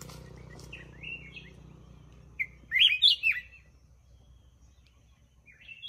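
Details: Black-crested bulbul giving a short burst of bright, warbled whistles that rise and fall, clustered in a loud phrase after a few soft chirps, with a low hum underneath.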